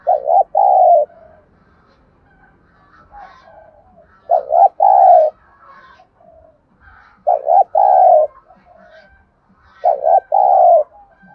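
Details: Spotted dove repeating its 'thúc gù' cooing, used as a trapping lure and to train decoy doves: four low phrases about every three seconds, each a rapid doubled hoot followed by a fuller, slightly falling coo.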